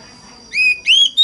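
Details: Oriental magpie-robin lure song used to prompt other magpie-robins to sing: two pure, slightly rising whistled notes in quick succession, then the start of a third, with a steady faint high tone in the background.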